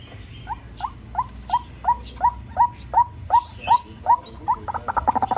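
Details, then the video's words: White-breasted waterhen lure recording: a steady run of short rising nasal notes, about three per second, speeding into a fast stuttering burst at the end; faint high whistles from other birds behind. "Tiếng chim cuốc"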